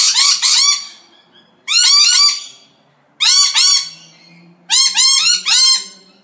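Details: Parrots in loud, harsh screeching bursts, each made of rapid stacked rising notes, coming in four separate volleys with short silent gaps between them.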